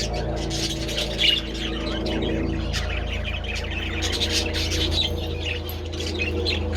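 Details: Pet budgerigars in the sun with treats, late February, chattering in soft overlapping chirps and twitters, with a continuous droning hum underneath.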